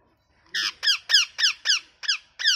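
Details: Parrot giving seven sharp harmonic chirps, each a quick downward-sliding squeak, spaced about a third of a second apart in a small quiet indoor space.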